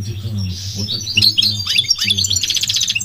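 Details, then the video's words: Short goldfinch phrase: a soft wheezy note, tinkling chirps and sliding notes, then a rapid buzzy trill at the end. "The elegant migratory goldfinch sings the most beautiful singing"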